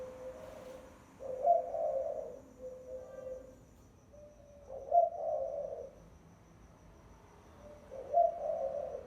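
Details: Lure calling by a decoy spotted dove: three cooing phrases about three seconds apart, each a steady low note followed by a louder, rolling double coo. A thin high whine runs faintly throughout.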